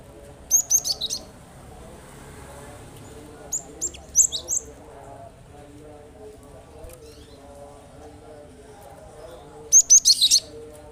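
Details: Cinereous tit singing, used to prompt reluctant birds to answer. Short bursts of three to four sharp, very high chirps arrive at about 0.5, 4 and 10 seconds, with long quiet gaps and a low background hum.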